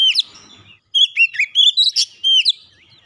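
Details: Oriental magpie-robin singing, meant to prompt a silent house bird: after a short pause, a rapid string of sweet whistled and warbled notes, some sliding downward, ending with a held whistle.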